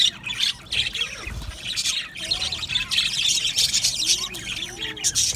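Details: Budgerigar aviary colony with constant bright chirping and squawking, many birds calling over each other, a few soft lower whistled slurs and a low thud early on.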